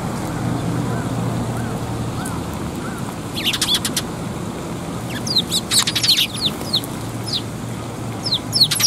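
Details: A group of sparrows arriving to be fed at a Tenmangu shrine, May 2021: quick rattling chirps then scattered high tweets, over a low steady hum.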